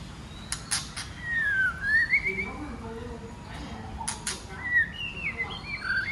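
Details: A female white-rumped shama, used to provoke males, gives clear rising and falling whistles with sharp clicks over a steady background hiss.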